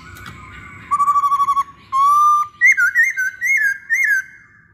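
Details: Masked laughingthrush song as a lure for other laughingthrushes: a stuttering run of short notes, two long steady whistles, then lively looping whistled phrases, each rising and dipping.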